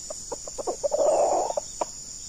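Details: Red junglefowl in the wild, a decoy bird meeting a very fierce wild male: low, husky clucks building into a dense, rasping burst, then a few spaced clucks, over a steady high insect drone.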